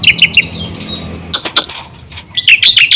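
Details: Black-winged myna singing as a lure for other mynas: short bursts of scratchy chattering notes separated by quieter gaps, with a brief whistle and rough clicks between the bursts.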